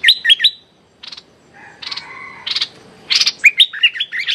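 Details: Streak-eared bulbul, a decoy bird, calling at a captive young female; sharp whistled chirps alternate with short harsh buzzy bursts and a few rising notes, ending in a quick run of chirps.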